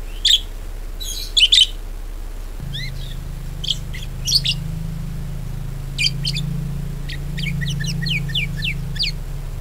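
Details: Budgerigar lure recording meant to coax other budgies into active singing: scattered sharp high chirps and short chattery bursts, some in quick pairs, over a steady low hum.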